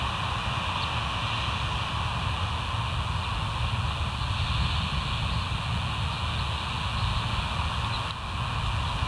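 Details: Steady loud broadband rumble, like wind or engine noise, fills the whole stretch with no animal calls standing out.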